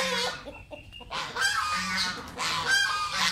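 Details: Pet geese eating mango give loud nasal honks, each a short harmonic blare, with a separate higher squeaky note between bursts.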